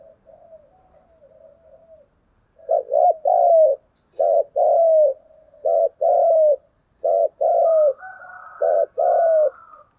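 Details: Spotted dove cooing in a 'thúc gù' dueling style to challenge rivals. Soft low coos for two seconds, then loud paired phrases, a short note followed by a longer falling coo, repeated about six times, with a fainter higher dove near the end.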